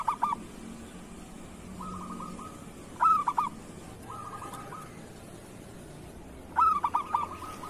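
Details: Kerot-style song of a local zebra dove, played to make idle doves call: two stuttering cooing phrases several seconds apart, each trailing into a soft purring trill, with further faint trills between them.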